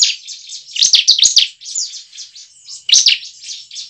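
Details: Bar-winged prinia song used as a lure to get caged prinias singing: bursts of high, sharp, chirping notes with rapid buzzy trills, loud phrases near one and three seconds, softer twitter between, a faint steady tone underneath.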